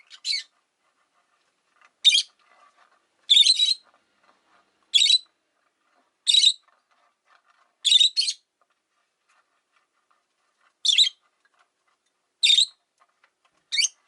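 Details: Caged rosy-faced lovebirds, five in one cage near a window, utter nine scratchy chirps over fourteen seconds at irregular intervals of one to three seconds, some doubled, with near silence between calls.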